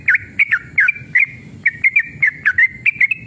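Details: Sooty-headed bulbul, fierce fighting-style song to make other bulbuls sing back: a steady, fast series of rich whistles dipping and rising, roughly two to three notes each second, over a low hum.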